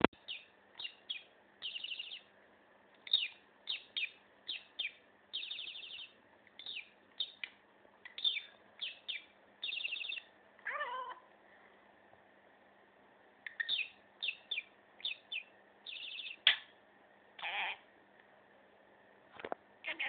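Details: Maurice, a year-old pet budgerigar, chatters in quick bursts of scratchy chirps and warbles, with a few downward-sliding whistles.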